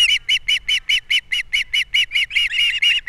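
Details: On Captiva in April 2022, an osprey calls at the nest while fish is delivered and chicks are fed: a regular string of about fourteen loud, clear chirped whistles, each short and evenly spaced, growing slightly harsher at the end.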